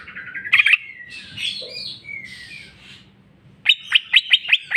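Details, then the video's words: Greater green leafbird (cucak ijo), full 'jamtrok' style with 'bongkar isian': soft chattering and slurred whistles, a brief quiet gap, then a loud even run of six sharp notes about three per second. "cucak ijo mewah ful jamtrok bongkar isian"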